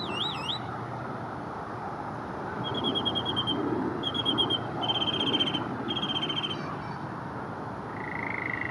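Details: Northern mockingbird perched in a cedar elm in a Houston, Texas park after driving away around ten American crows, imitating other birds and a frog: a wavy whistle, then several rapid trilled bursts of similar pitch, and a final buzzy note, over traffic-like rumble.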